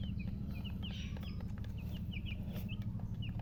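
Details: Newborn chicks peeping: short high chirps, a few each second, some bright and abrupt, against a heavy low hum.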